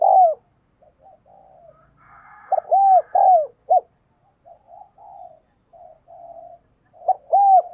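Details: Decoy spotted dove cooing energetically to urge others to call: loud arched coos in pairs, separated by quieter, drawn-out low murmuring notes, the pattern resuming strongly at the end.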